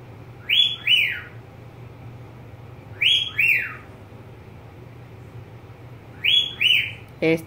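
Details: Pet budgerigar gives three pairs of downslurred whistles spaced about three seconds apart, ending with a short abrupt click-like sound, steady low hum behind.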